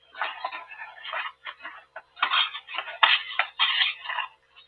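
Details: A black stork at its nest in Tajo Internacional, Spain, on 18 March 2024, fighting an intruding stranger: harsh, noisy rasping and clattering bursts in an irregular, agitated series with brief pauses.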